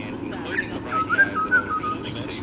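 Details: Butcherbird singing in the morning near a sea eagle nest with both eagles present, Sydney Olympic Park, Australia, 28 June 2014; a short run of clear, fluty whistled notes that rise and fall slightly, over a low background rumble.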